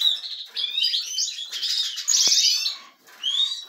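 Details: Several European goldfinches kept for breeding, growing more active: a continuous run of fast liquid twitters and slurred chirps, with a dry buzzy burst near the middle and a short gap before a final phrase.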